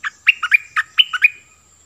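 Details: Cream-vented bulbul, a caged decoy bird, singing fired up: a quick phrase of about seven bubbly, warbled notes, alternating low and high, each with a thin trailing whistle, in clean, quiet surroundings.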